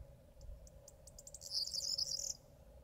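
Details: A corn bunting (Emberiza calandra) sings from a perch in autumn. It gives a few high ticks that speed up into a brief, dry, jangling trill like shaken keys, over a steady low hum.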